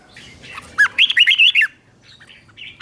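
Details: Red-whiskered bulbul in a doubled-style teacher song for captive birds to imitate: a quick run of about seven loud, looping whistled notes, followed by faint distant chirps.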